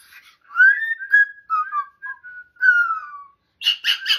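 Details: Pet cockatoo whistling a happy little tune: a series of clear, smooth, gliding whistled notes, rising then falling, followed by three quick harsh raspy squawks at the end.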